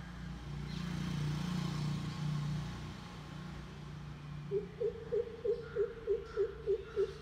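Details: Greater coucal (Centropus sinensis) calling in the morning, recorded on a mobile phone: a deep, hollow run of about nine even 'coop' notes, roughly three a second, after a low rumble of traffic.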